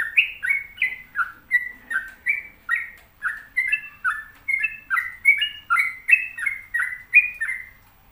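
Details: Sooty-headed bulbul in sustained 'gacor' song: eight seconds of quick, alternating high and low whistles forming rhythmic two-note steps, clean and loud against a quiet background.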